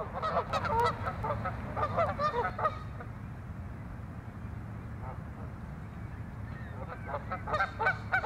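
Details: Canada geese fighting over territory at Waveland Lake in Chicago's North Side: a burst of excited, overlapping honks for about three seconds, then a quieter stretch with faint calls, and honking that picks up again near the end over low rumble.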